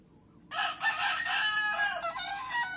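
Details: Crowing from a Leghorn rooster: a loud, hoarse, buzzy call with rough opening syllables and a wavering, strained ending, starting sharply after a short silence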